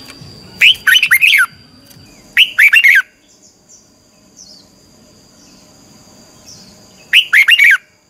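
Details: Red-whiskered bulbul training song in the twisting 'xoắn tít' style meant to rouse birds to sing: three bursts of bright, tumbling whistled notes, the first two close together and the last after a long pause, over faint background hum.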